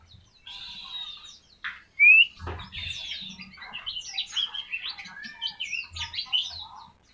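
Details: White-eye, called pleci, in a tembakan tutoring recording: a jumbled stream of high chattering, squeaky and sliding notes with one loud upward whistle early on, in a quiet setting.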